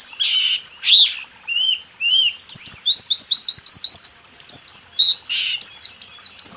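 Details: White-eye training song, 'rool tembak' style, for caged birds that seldom sing: a few lower slurred whistles open, then a quick string of bright, repeated chirps rising in pace, with whistles returning at the end.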